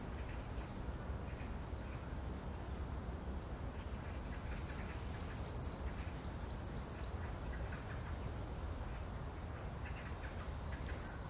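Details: Eurasian nuthatch in spring, one of a nest-building pair, one standing guard while the other works mud into an abandoned nest: a brief burst of rapid high piping notes midway, with faint scattered chirps and steady low rumble.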